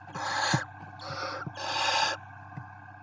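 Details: Barn owl at a nest on a live nest camera in Ávila, Spain, giving harsh, breathy hissing rasps: three bursts about half a second each in quick succession, over a low steady hum and faint knocks.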